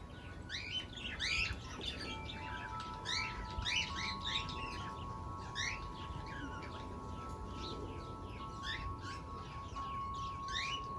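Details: A 5-week-old lovebird chick gives short chirps in quick bursts, some rising and others falling, with steady tonal hum lines running underneath throughout.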